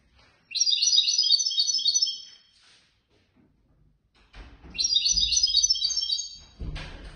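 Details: Caged competition European goldfinch that won third place in a Casablanca bird lovers' association contest, singing two bursts of rapid, bright twittering trills with metallic, layered notes, separated by a short silent pause, with light handling noise near the end.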